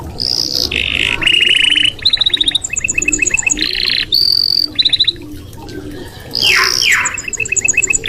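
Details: Song of a red canary. Bright whistled phrases alternate with dense buzzy trills and quick repeated chip series, some notes sliding downward. The phrases come in rapid succession over a faint low background hum.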